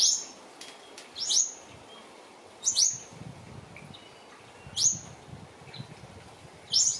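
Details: New Holland honeyeaters (Phylidonyris novaehollandiae) disturbing a resting mother Western Grey kangaroo and joey: sharp, very high, downslurred chip notes, often doubled, coming in bursts every one to two seconds with quiet gaps between.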